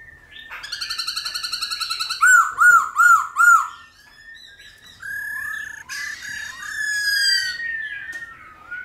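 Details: Varied 'old forest' style laughingthrush song used to rouse and train newly caught birds: a rapid buzzy trill, then four loud arched whistles, followed by softer wavering, rising and falling phrases.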